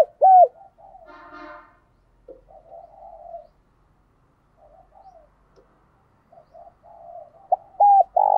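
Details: Decoy spotted dove cooing and calling to lure wild doves. Soft, low, murmuring coos fill most of the stretch. Loud, clear hooked coos are heard briefly at the start and again near the end, with a short burst of richer, buzzy tone early on.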